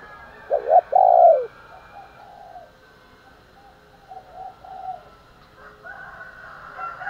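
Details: Spotted dove calling in the morning to provoke fighting: a loud double coo, a quick note and then a long mellow one, followed by fainter repeated coos and other bird sounds.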